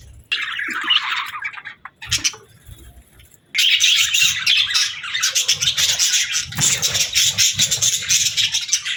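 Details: Budgerigars, also called parakeets, chirping in relaxing, happy budgie sounds meant for lonely pet birds: dense, buzzy warbling chatter with rapid squeaky notes after a brief pause, continuous and overlapping from several birds.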